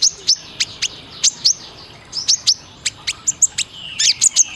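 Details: Sunbird song used as a master training recording for caged birds: sharp, high, clipped chips and brief trills, delivered in quick irregular bursts several times per second over a low steady background hum.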